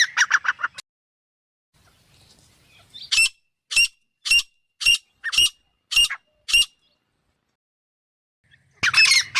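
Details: Grey francolin female (teetar): a short burst of harsh notes, a quiet gap, then seven separate sharp squawks spaced about half a second apart, and a fresh rough burst starting at the close.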